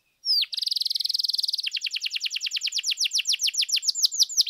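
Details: Canary song for provoking other canaries to sing, starting with a rising whistle and a dense buzzing trill, then a long series of quick descending chirps repeated about three to four times per second.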